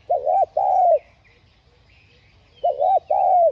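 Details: Spotted dove playing a lure: a pair of rough mid-pitched coos, the second longer and sliding downward, repeated after a two-second pause.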